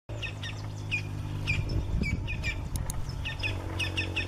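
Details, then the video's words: A Campo flicker (Colaptes campestris) gives short, sharp, downslurred notes about twice a second, with other chirps over a steady low rumble of background noise. "PICA PAU CHANCHÃ (Colaptes campestris) PÁSSARO VOCALIZANDO ao vivo da natureza,, CAMPO FLICKER"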